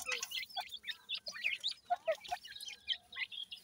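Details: Grey francolin (dakhni teetar) chicks feeding: a busy chorus of short, high, thin cheeps and twittering chirps, some dropping in pitch, overlapping rapidly with brief gaps.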